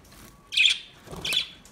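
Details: Budgerigars, new birds, uttering two harsh, buzzy squawking calls about half a second apart, each short and grating, over a quiet background.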